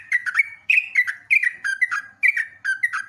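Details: Sooty-headed bulbul (trucuk) song from a long training recording for cage birds: short bubbly whistled notes in clusters of two or three, each cluster dipping slightly in pitch, separated by brief pauses, with no other sounds.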